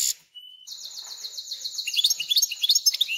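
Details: Captive European goldfinch × canary hybrid singing in its cage, a few days after arriving and settling in. A brief thin whistle comes first, then a fast buzzy trill of rapid repeated notes, breaking into varied chirping phrases.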